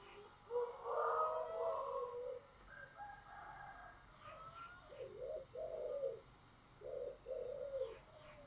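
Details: Giọng thổ song of a spotted dove: a loud, blurred coo opens the phrase, then a series of short, low coos in pairs, with faint higher chirps and steady background noise.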